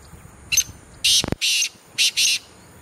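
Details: Black francolin breeding call on the Chinab banks at Jourian, Jammu and Kashmir, India: a harsh, grating short scratchy note, then two pairs of loud, rasping bursts, with one sharp click between.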